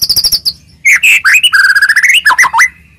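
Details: White-rumped shama in full song, used to goad rival shamas into singing: a quick high trill, then loud rich whistled slurs and a warbling run of mid-pitched notes.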